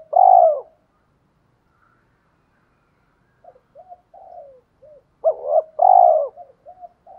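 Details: Spotted doves, male and female decoy birds, cooing to provoke rivals into fighting. One loud low coo opens, then soft short notes, then two strong rolling coos close together with soft trailing notes after them.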